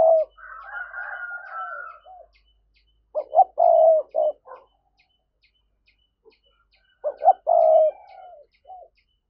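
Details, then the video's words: Lure recording of a spotted dove's urging 'gáy thúc' coo: a higher drawn-out coo over lower notes, then two loud phrases of rapid low hoots each ending in a long, steady coo, about four seconds apart. "Giọng cu gáy thúc hay, anh em mở lên kích bổi rất hiệu quả"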